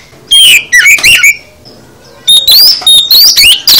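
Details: Oriental magpie-robin full song: a quick burst of sliding whistles and chatter, a quiet second, then a longer dense run of loud rising whistles and harsh high notes.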